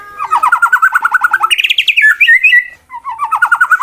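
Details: Contest male white-rumped shama challenging rivals with its fighting song: a continuous rapid stuttering trill that steps up in pitch, slides through whistled notes, then resumes the low fast trill.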